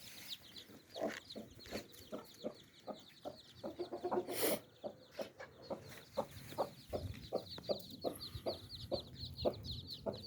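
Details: Mother hen with nine baby chicks: low clucks repeated about twice a second, while the chicks keep up a constant high, rapid peeping over a noisy background.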